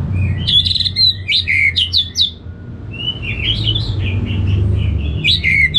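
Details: Kept orange-headed thrush from Singaraja, North Bali, in a songbird therapy recording; energetic mix of squeaky, warbled and slurred whistled notes in uneven bursts, with a constant low hum underneath.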